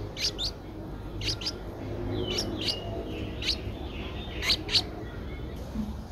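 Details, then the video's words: Ten-day-old Streak-eared Bulbul nestling (eyes opened at 7 days) in Ubon Ratchathani, Thailand, 12 April 2023, giving thin, high chirps, often in quick pairs, about once a second, over a low background hum. "นกปรอดสวน อายุ 10 วัน : Streak-eared Bulbul"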